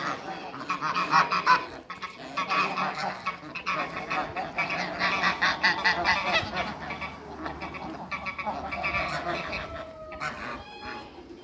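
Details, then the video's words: Farm flock of eight African and Toulouse geese honking in overlapping bursts, loud at first then thinning out, with a few drawn-out nasal notes near the end. "MEETING EIGHT AFRICAN & TOULOUSE GEESE"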